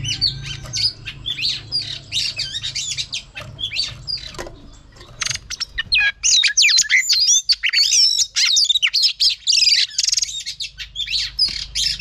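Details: Female oriental magpie-robin singing to stimulate males: a rapid, varied run of sweet whistles, chirps and squeaky notes, growing louder and denser in the second half.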